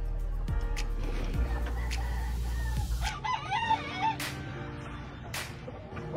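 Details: Rooster of the Grey Kelso Albany breed, raised on a breeding farm, crowing once in a rough, wavering call of about a second, partly masked by continuous music with strong bass beats.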